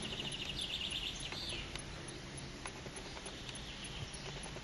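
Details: A European green woodpecker in a car park at Chenonceau chateau, central France, gives a quick, laughing series of bright, evenly spaced notes lasting about a second, over a steady hiss of background noise.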